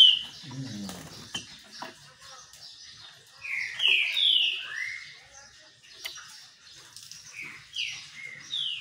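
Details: Green-winged saltator in song during a sun bath. A brief human voice comes first, then clear whistled notes falling in pitch, grouped in a phrase near the middle, with scattered softer chirps around them.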